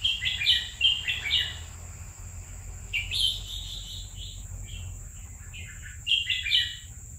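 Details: Caged red-whiskered bulbul, kept for two years, singing short bright warbled phrases in quick bursts around the start, middle and end, with quiet pauses between and a steady faint hum beneath.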